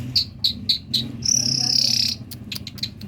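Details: Talking common myna from Kerman: four short repeated notes near the upper range, then a long bright whistle and a scatter of quick clicks and chirps.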